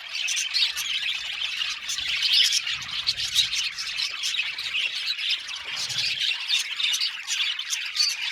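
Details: Chattering flock of budgies in a colony aviary, bright repeated chirps and scratchy squawks running without a break, a few low bumps audible beneath.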